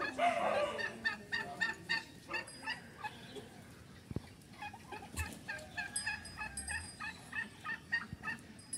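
Bronze turkeys calling in a busy flock, a rapid stream of short harsh yelps and clucks repeated several times a second, with a hum of background noise.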